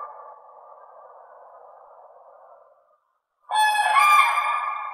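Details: Common crane: a faint fading trumpeting tail, a brief silence, then a loud harsh bugling call rich in overtones that holds for about a second and a half.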